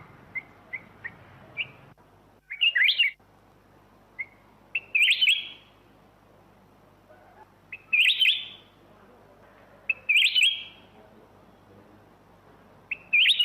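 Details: Short, rising whistled phrases from a black-crested bulbul, repeated roughly every two to three seconds, each a brief loud flourish, with a few soft single notes at the start and quiet between phrases.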